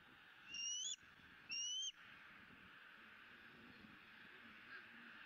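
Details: Joyful squealing from a bald eagle eaglet on a Southwest Florida eagle camera, 20 April 2017, during its second fish feeding of the day: two loud, thin, upslurred squeals about a second apart, then only low hiss.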